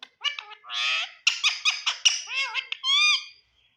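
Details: Talking green Indian ringneck parrot in front of a mirror: a quick stream of about ten scratchy, voice-like syllables, some drawn out and some clipped, with wavering pitch, finishing on a longer nasal note.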